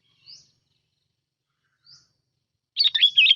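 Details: Lure sooty-headed bulbul: two faint, thin rising notes spaced apart, then a quick, loud burst of chattering, warbled whistles at the close.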